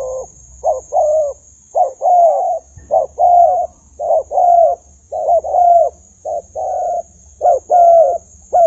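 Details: Caged spotted dove used as a decoy while fighting with wild birds: low, mellow coos in short and drawn-out phrases, repeated roughly once a second with uneven spacing, over a steady high electrical whine and faint low hum.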